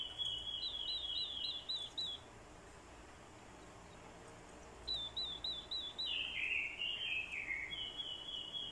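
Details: Orange-headed thrush lure bird with female thrush calls, performing fighting song; quick series of repeated looping whistled notes, a quiet gap, then more loops and a stepped descending warble, over noticeable background noise.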